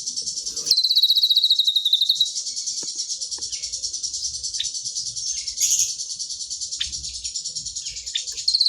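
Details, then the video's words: Cililin song: a dense, continuous high-pitched trilling and chattering stream, with rapid sweeping chirps and brief louder bursts, running without pause throughout. "SG full cililinan"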